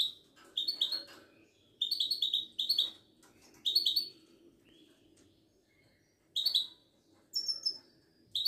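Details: Widani goldfinch from Morocco, a caged songbird at a Casablanca bird market, pouring out clustered bursts of rapid sparkling chirps and buzzy trills, with a short pause midway before more lively phrases, over faint low hum.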